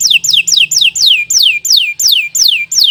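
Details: Canary song used to train young or silent canaries: a series of loud, clear whistles, each sweeping steeply downward, repeated about three times a second.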